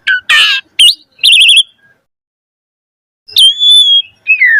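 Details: Lure song of a Javan pied starling for young birds: a harsh burst, a quavering trilled whistle, a silent pause of about two seconds, then a long level whistle and a falling slur.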